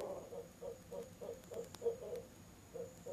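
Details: Out-of-season Barred owl pair calling at a nest box one October evening at 7pm, the mate joining in; quick, evenly pitched hoots tumble out several per second, then briefly stop and resume.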